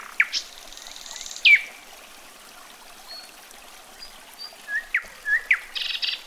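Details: Common nightingale singing outdoors: short loud whistled notes and sharp downward slurs separated by pauses, a brief buzzy high phrase near the start and another at the end, with soft scattered twittering in between.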